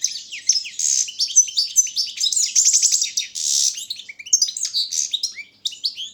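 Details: High-pitched, lively song from a carduelis balcanica goldfinch entered in a world championship for goldfinch song: continuous tinkling twitters, buzzy notes and a quick rattling trill, with no other sounds.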